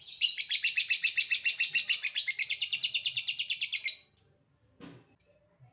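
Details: Lovebird ngekek chatter, a long sound meant to make other lovebirds respond: a rapid, even, rattling trill of about 25 buzzy pulses over four seconds, followed by a few scattered high chips and a brief noisy scrape.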